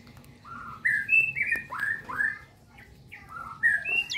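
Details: Nias hill myna calling in a relaxed way: mellow whistled slurs rising and falling, spaced in short groups with brief pauses between.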